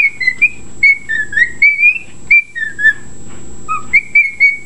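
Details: Pet bird singing reveille in clean whistled notes, mostly level and slightly wavering, with a brief pause and a lower note before the phrase resumes. Background hum.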